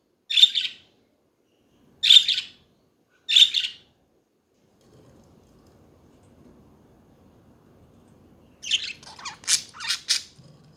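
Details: Chatting budgies give three sharp scratchy chirps over about four seconds, then a quiet pause with low rustling, ending in a rapid run of warbled, squeaky chatter notes.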